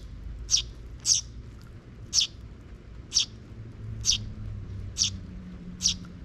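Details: Seven bright, clipped chirps repeated almost evenly, roughly one per second, from sparrows in a park on 12 June 2023 as chicks follow their parents; soft low-pitched background noise underneath.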